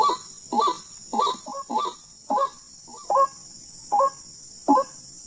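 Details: Wild white-breasted waterhen in a bird-hunting setting, giving about eight harsh, nasal croaking notes at uneven spacing. Some notes are doubled. A steady high hiss runs throughout.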